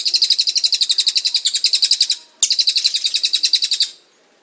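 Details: A cililin bird, recorded as a lure and training call, gives two fast, high trills of sharp chipping notes at about ten per second. The first lasts about two seconds and the second is slightly shorter, separated by a brief click.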